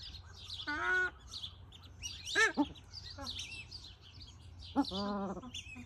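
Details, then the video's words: Paradise shelducks calling: loud, strident honking notes with rich harmonics, some drawn out and some short and rising, spaced a second or more apart, over a low rumble, with small birds chirping higher in the background. "Paradise shelducks"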